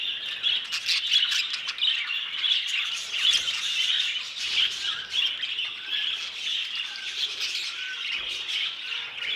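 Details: Captive budgerigars of a new violet colour mutation keep up a dense, high warbled chatter with scratchy squawks and short whistled chirps throughout.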